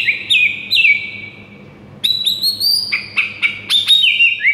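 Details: White-rumped shama master song meant to rouse silent shamas into excited singing: loud whistled phrases with sharp upslurs and downslurs, a brief lull, then quick varied chirps and slurred whistles in rapid succession.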